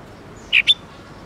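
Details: Red-whiskered bulbul from a training recording of the '8-9-10 note' twisting song: just two short, clear whistled notes in quick succession over a quiet hiss.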